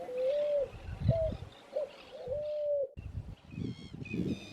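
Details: Spot-winged Pigeon among its peers trying to drink from a small puddle at Laguna de Lobos, Buenos Aires province, in winter: drawn-out, steady, low hooting coos, followed by fainter harmonic calls and background rustling.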